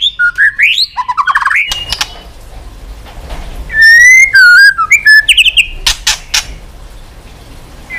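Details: Varied song of a white-rumped shama, used to fire up and train other shamas to sing with many voices: rising whistles, a run of loud sustained fluting notes with dips, then sharp clicks and a quiet stretch.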